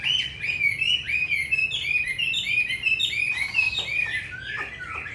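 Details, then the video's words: Purebred Chinese hwamei, wild-caught type, singing a fast, unbroken run of loud, clear whistles and slurred phrases, shifting pitch and pattern every moment with no pauses. "Họa mi 5633b đẹp giọng rừng hay mau mỏ"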